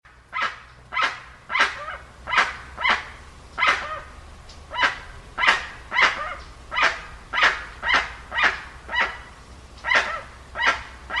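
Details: Dusky-legged guan giving a steady series of loud, harsh, honking calls, nearly two per second, each note broad and grating with a rough bark-like quality, continuing evenly throughout.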